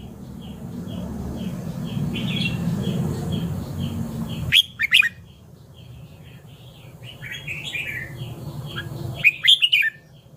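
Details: Red-whiskered bulbul singing brief clusters of sharp, bubbly whistles twice, while many other birds chirp and twitter softly in the background over a low hum.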